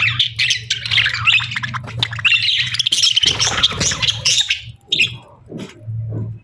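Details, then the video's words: Budgerigars chattering in a loud, buzzy high warble with squawks, over a low steady hum and some rustling, trailing off into a few separate chirps. "Sweet Budgie Chirping Sounds"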